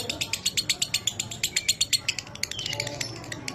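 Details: Pet lovebird song in the dry 'minor kering' style, used for training: crisp, evenly spaced high chirps in a fast series, softening toward the end with faint low background noise.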